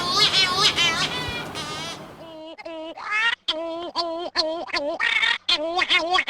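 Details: Cory's shearwater (Calonectris borealis) at its colony, typically calling at night when colonies are most active, the sound echoing across cliffs and caves: harsh, nasal wailing calls, first drawn-out and wavering, then broken into quick repeated notes about two per second, with faint music beneath.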